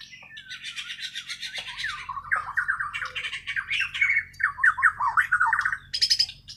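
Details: Natural song of a white-rumped shama from Kalimantan, Borneo, not trained with recorded tutors: harsh scratchy bursts give way to quick fluty trills and looping whistled notes, then a sharp high chip, with low hum behind.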